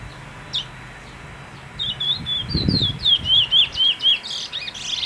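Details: Brown bullfinch calling: a quick run of about eight short, wavy, slurred high whistles in steady succession over low background rumble, after a single faint note near the start.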